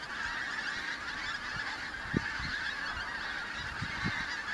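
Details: Pink-footed geese, the first autumn migrants arriving in the Kelvin Valley, North Glasgow, 25 September 2021; many birds honk together in a continuous yelping chatter, broken by a few short low wind bumps.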